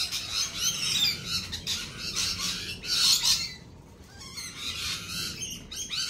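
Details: Flock of lorikeets at a feeding place, screeching and chattering harshly in dense overlapping bursts, peaking near three seconds, with a brief lull before more shrill squawks resume; low background rumble throughout.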